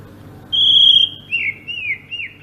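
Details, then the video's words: Greater green leafbird, Sumatran form, singing ngerol style: one long steady high whistle, then a few wavering, dipping slurred notes in quick succession, with low background hum. "kicau burung cucak ijo sumatra ngerol"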